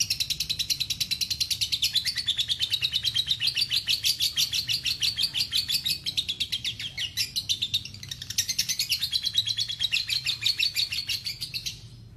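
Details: Lovebird giving a long ngekek trill for a masteran recording: a sustained high chattering trill of rapid pulses, about three per second, running nearly twelve seconds with brief dips in loudness; faint low hum underneath.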